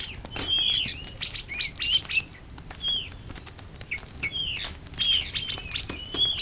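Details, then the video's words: Indonesian champion greater green leafbird, 2013–2014, giving short sweet whistled figures among busy clicks and ticking sounds, phrases recurring roughly every second. "Cucak Ijo Juara satu se Indonesia Raya 2013 2014"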